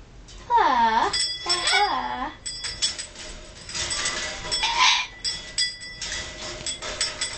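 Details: A 3-year-old male pet yellow-fronted amazon parrot that talks and sings, giving loud harmonic parrot vocalizations early on with curving, wavering tones, followed by quieter noisy calls while music plays and a person coaxes it to say hello.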